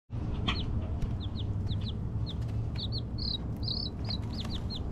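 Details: Several baby Silkie chickens, newly acquired chicks, peeping: short, high, downward-curving peeps overlapping in quick irregular bursts, over a steady low hum.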